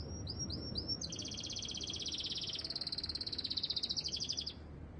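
A canary sings: three quick high whistled notes, then a long rapid trill that rolls and shifts in pitch for several seconds over a low background hum.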